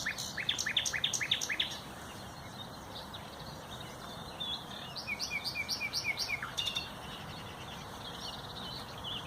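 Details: Loud, varied nightingale song from 30 April 2021: a burst of staccato broadband clicks and notes, a pause, then a descending string of short whistled notes with a rapid ending flourish.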